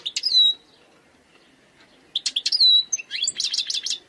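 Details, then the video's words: A wild European goldfinch sings tinkling notes with a clear whistled slur, pauses, then repeats the slurred whistle. It then breaks into rapid, jangling twitters at a quick, lively pace. "chant chardonneret sauvage khalwi حسون goldfinch jilguero تغريد مقنين خلوي"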